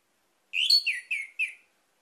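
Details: Orange-headed thrush song used as a lure to get other birds singing: one short phrase of four bright, slurred whistled notes, the first rising and the rest falling, lasting just over a second in quiet surroundings.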